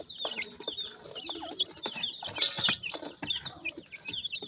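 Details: Feeding Mikado pheasant chicks with their mother in sunshine utter shrill, falling chirps in a continuous chatter, overlaid by a burst of hissy scratching noise near the middle.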